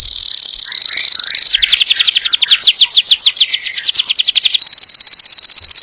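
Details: Yellow canary song meant to prime the female for breeding and instruct the chicks: a sustained buzzy high trill gives way to a quick series of sharp descending notes, then a fine rapid warble.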